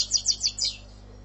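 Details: Algerian European goldfinch song fragment from a 'sortie' and 'passade' style: four or five sharp, high twittered notes in just under a second, then quiet with a faint low hum.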